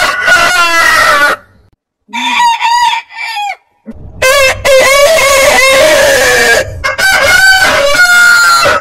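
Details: Heritage-breed roosters crowing one after another: a long crow, a pause, two shorter stuttering crows, then sustained loud crowing with overlapping birds and wavering tones.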